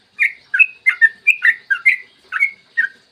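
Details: Yellow-vented bulbul in full, long rapid song ("ropel panjang"), recorded in the morning as a lure to make other bulbuls sing: a bubbling run of about ten short, liquid, gurgling chirped notes, clean with no background.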